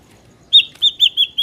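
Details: Ashy drongo from the wild, a recording meant to lure and trap drongos: after half a second of quiet, a run of five bright whistled notes at steady pitch and a quick even pace.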